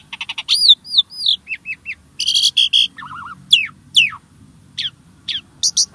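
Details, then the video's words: Starling song used as a prompt to get caged birds singing: a varied run of rising and falling whistled notes, buzzy bursts and short trills, with a low hum beneath. "Kicau Burung Jalak | Cocok Untuk Pancingan"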